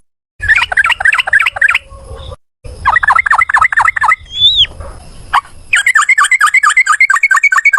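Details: Yellow-vented bulbul in a long, rapid fighting-style song, used as a lure to get other bulbuls singing: quick runs of repeated chattering notes broken by short pauses, one upward sliding whistle, then a fast, even burst to the end.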